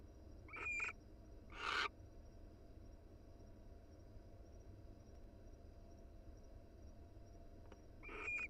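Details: Pair of wild barn owls cuddling in their nest box: a few short rasping calls and one harsh hissing screech early on, a long quiet gap, then another raspy call at the end, over constant low hum.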